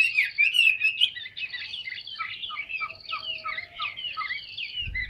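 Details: Tame, large-bodied caged Chinese hwamei singing freely: a fast run of varied whistled and slurred notes, bright rising and falling phrases that soften into short downward-dipping notes repeated at a quick pace.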